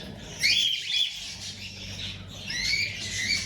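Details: Cockatiel chicks in a breeding setting, giving harsh, hissing, noisy calls in two bursts, one early and one late, with buzzy rasping energy, over a quiet background.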